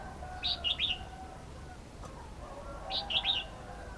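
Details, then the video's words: Red-whiskered bulbul calling twice about two and a half seconds apart, each a bright, bubbling phrase of three or four quick chirped notes, over a low steady hum. "Red-whiskered bulbul sound 05"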